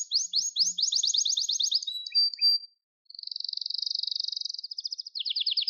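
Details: Singing Gloster canary: a fast rattling trill of repeated notes, a brief thin whistle, a short silence, then a smooth buzzing roll followed by a quicker descending trill.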